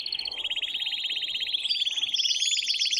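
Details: Male canary singing to stimulate a female to mate, delivering a continuous rapid rolling trill for the whole three seconds with higher notes layered in toward the end.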